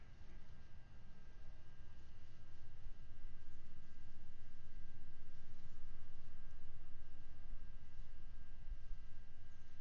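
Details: Steady hum with low rumble and hiss from a nest camera feed; no bird or other animal voice is heard.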